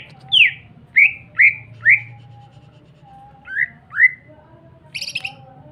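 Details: Lively greater green leafbird song meant to provoke other leafbirds to sing: a run of bright downslurred whistles about every half second, a pause, two more slurred notes, then a brief harsh buzzy burst, with a soft hum behind.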